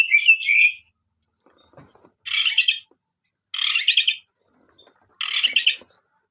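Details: Oriental magpie-robin: a brief warbled whistle, then three loud harsh, rasping bursts spaced about one and a half seconds apart, with silence between.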